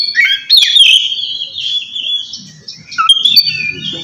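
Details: Oriental magpie-robin ngeplong song for calling a rival and prompting idle birds to sing: a bright whistled opening then a softer sustained warble, with faint low background noise.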